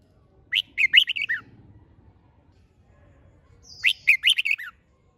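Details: Red-whiskered bulbul singing in a stimulating contest style: two bright, warbled phrases of five or six quick chirping notes each, separated by a few seconds of near silence over a faint low hum.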